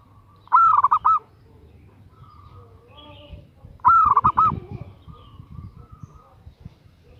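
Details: Female zebra dove calling a male. Two rippling, bubbly coo phrases come about three seconds apart. Softer murmuring sounds and low rumbling noise fill the background between them.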